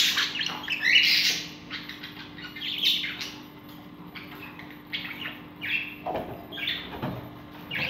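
Budgerigar chicks give harsh, rasping chirps and squawks while begging to be fed.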